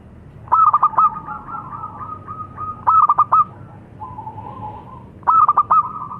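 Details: Perkutut lokal, a local zebra dove, gives three bursts of rapid staccato coos, each running on into a drawn-out soft cooing tone, with a low rumble underneath.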